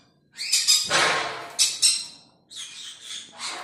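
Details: Sun conure breeding pair in a setup giving loud, harsh, rasping squawks in bursts, one long screech near the start, then shorter strident cries, with brief quiet gaps between.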